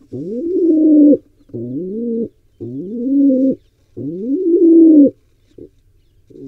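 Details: Wild pigeon trying to breed at an Israeli barn owl and pigeon nest cam gives deep, drawn-out coos, four long rising phrases of about a second each, then two brief soft notes.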